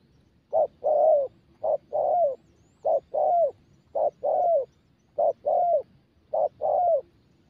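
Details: Spotted dove, a young bird being trained to coo, gives a regular series of coo pairs, a clipped note then a fuller falling coo, roughly one pair each second, low and hollow over a quiet background.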